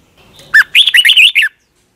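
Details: Thai cage-bird red-whiskered bulbul giving one slow, clear phrase of the doubled (เบิ้ล) song style: a dropping note followed by a quick, bubbly, warbled string of whistles lasting about a second.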